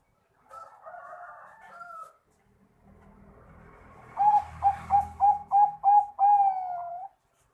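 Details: A zebra dove (Bangkok perkutut) in full song, used to prompt quiet doves to call, gives a run of about seven soft, rolling coos in quick succession, low and mellow, preceded by a brief nasal, buzzy sound.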